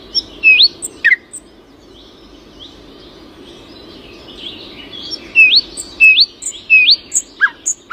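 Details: Early morning birdsong: bright, sharply upswept whistled chirps given irregularly, mixed with short falling notes and high ticks, over a low, steady background rumble.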